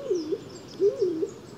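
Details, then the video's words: Stock dove, a fairly uncommon bird of deciduous woodland, gives low, muffled two-syllable coos, each rising then dipping, about every second, starting sluggishly then pumping and half-choked, sounding miserable, over faint background hiss. "Men två stavelser är det i alla fall som upprepas gång på gång i skogsduvans läte."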